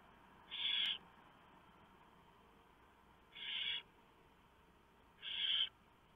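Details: Barn owl at the nest at 3:59 AM on November 3, 2015, as the male delivers a huge mouse and the female shreds it for the owlets. Three harsh, rasping hiss bursts about half a second long, widely spaced, over steady background hum.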